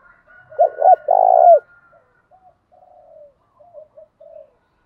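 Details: Decoy spotted dove coos used to stimulate and train male doves. Two loud, hollow coos come first, the second long and pulsing, then a run of soft, short coos trails off, over a faint steady tone.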